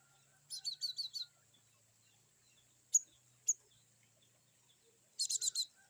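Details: Cinereous tit (glatik batu) singing varied 'wucit' calls over a faint low hum: four quick repeated chipping notes, two isolated sharp ticks, then a rapid burst of four buzzy notes.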